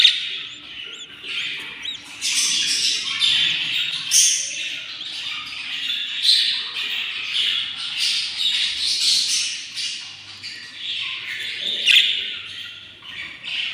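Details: Hungry six-day-old baby budgerigars inside a nest box beg with a continuous mass of high, raspy chirps and squeaks that swell and fade.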